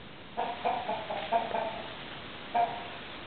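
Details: Chickens from a flock kept together with roosters cluck in a quick run of six or so nasal, mid-pitched notes, then fall quiet before one more louder cluck near the end.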